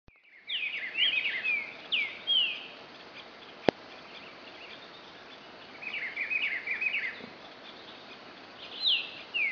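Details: Green-winged saltator (trinca-ferro-verdadeiro) singing the regional lambada song style, recorded 08/12/2011, with a rusty-margined flycatcher in the background. Bright, clear whistled phrases slurring downward come in bursts, with a pause before more phrases. A single sharp click is also heard.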